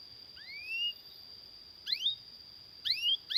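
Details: Canary singing for training and coaxing other canaries into song: widely spaced, rising slurred whistles, singly or in pairs, over a faint steady high-pitched tone.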